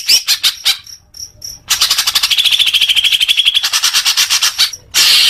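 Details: Leafbird singing, used as therapy for young birds: a few high clipped notes, then a long, dense, rapidly pulsed buzzing trill, and a final harsh hiss.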